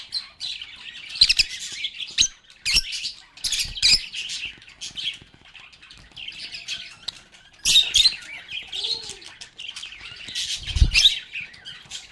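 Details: Chatting lovebirds give bursts of buzzy, scratchy twitters with sharp squeaks, clustered at the start and around the middle, plus occasional dull knocks and a low thump near the end.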